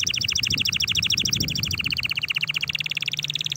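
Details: Canary singing excitedly to stimulate other canaries to sing, a rapid, even trill of repeated notes throughout, over a noticeable low background hum.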